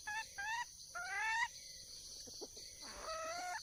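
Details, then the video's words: Wild red junglefowl hen seeking a male: two or three short, clear upslurred notes, a quiet gap with faint knocks, then a longer even note, all over a persistent insect hum. "le bruit d'une poule sauvage,เสียงไก่ป่าร้องหาถู่หาตัวผู้,ສຽງໄກ່ປ່າຮ້ອງຫາຄູ່ຮັກ, poj qaib qus see"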